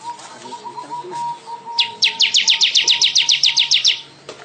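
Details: Weaver song recorded for tutoring songbirds: a quick, regular series of bright chirped notes, about six per second for two seconds, over a steady thin whistling tone in the background.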